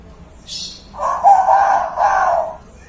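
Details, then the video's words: Young hill myna singing loudly while mimicking chickens: a short hiss, then a drawn-out, rooster-like crowing phrase in two swelling parts lasting about a second and a half. "Beo Muda Gacor Suara Keras, Suara Alam, Ayam, Beo, dll..."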